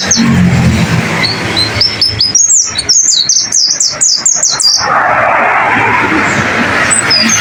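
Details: Masteran song of a white-eye (pleci), used to train caged birds to sing: a fast chain of high, sharp, descending chirps for about three seconds, then a broad rushing hiss with a few faint notes.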